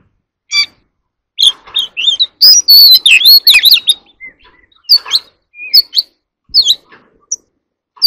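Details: Competitive song of an Oriental magpie-robin: bursts of fast, varied whistles and chattering slurs, a dense loud passage in the middle, then spaced single whistled notes.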